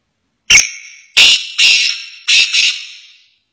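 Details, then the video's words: A partridge calling from inside a car gives harsh, rasping, broad bursts, one short note then three longer ones spaced under a second apart, each loud at onset and trailing off. No other sounds. "Cute Partridge Is Singing(تیتر کی سریلی اواز)"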